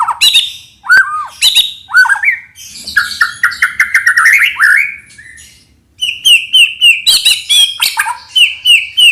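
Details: White-rumped shama song used as a lure for trapping birds: loud, varied whistled phrases with sweeping slurs, a warbled middle passage, then a fast series of repeated sharp high notes.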